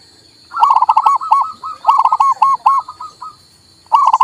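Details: Male local zebra dove, played to stimulate a silent bird to sing, gives a rapid run of short rolling coo notes near one pitch, then a pause and a fresh burst; a steady high electronic tone runs throughout.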